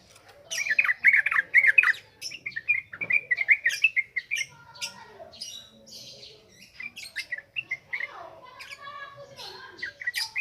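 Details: Yellow-vented bulbul in ngropel ngalas style song for a bird-training lure: a dense, chattering burst of warbled notes, then quieter scattered chirps and rattling twitters over faint background hiss.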